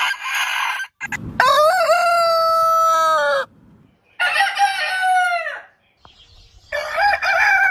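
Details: Rooster crowing: a long harmonic crow with a wavering start, then a second crow that falls away at its end. A third crow begins after a short quiet gap.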